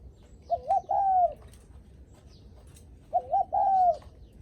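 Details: Two cooing phrases from a spotted dove greeting visitors, each a brief wobbling pair of notes leading into a long level coo that drops slightly at the end.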